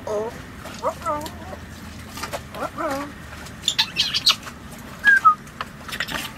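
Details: African Grey Parrot, a female kept aboard a sailboat in the Caribbean, wandering around the boat; wavering mid-pitched whistles and chatter early on, then a few short, high chirps and a falling whistle.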